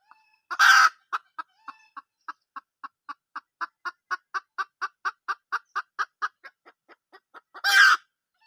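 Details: Wild junglefowl hen: a loud raspy squawk opens a long steady series of about twenty-five short clucks, roughly three per second, closed by another harsh squawk.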